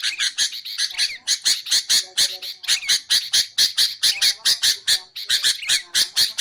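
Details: Sooty-headed bulbul recording meant for luring and for training songbirds. Rasping, squawky notes repeat about twice a second in a steady, slightly uneven rhythm, with occasional short whistled slurs among them.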